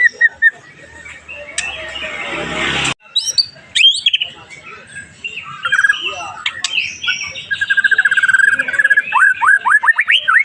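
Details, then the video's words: Murai batu, the white-rumped shama, in pastol style, meant to provoke rival birds: a noisy burst gives way to varied sharp whistles, then a fast series of repeated rising chirped notes near the end. "3DETIK NYAUT 🔥 PANCINGAN EMOSI MURAI PASTOL"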